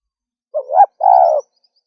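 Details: Female spotted dove giving a short two-part coo: a brief rising note that swells upward, then a longer steady hooting note that falls slightly at the end. No other sounds.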